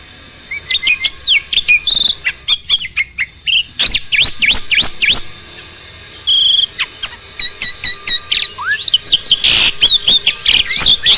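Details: Starling song meant to provoke other birds to sing; rapid, varied chattering with sharp clicks, thin whistles and harsh bursts, broken by short pauses.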